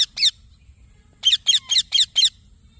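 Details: Green baby parrot giving a pair of harsh chirps, then after a pause a run of five loud, raspy downward-slurred notes.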